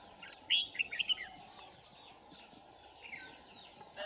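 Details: Red-whiskered bulbul recorded on 27 November 2018 during trapping with a decoy bird; a short burst of bright chirpy notes near the start, then faint scattered chirps over steady background hiss.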